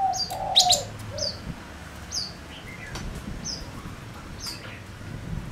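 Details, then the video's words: Lure-bird male Gouldian finch singing to attract wild birds: a burst of bright chirps, then evenly spaced high downslurred notes, with brief low coos at the start. "Chim ngũ sắc mồi hót cực hay kích bổi nhanh nổi | chim ngũ sắc hót | ngũ sắc trống"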